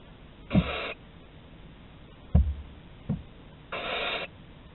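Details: Barn owl at Théding on 11 August 2020, during corridor exploration. Two breathy, rasping screeches are separated by a quiet gap. Dull thuds and a short knock fall in between.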